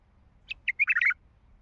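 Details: Wild Baghdadi bulbul with a heavy-toned throat giving one brief, bubbly phrase of five or six liquid notes that quickly rise and fall, lasting under a second, in an otherwise quiet background.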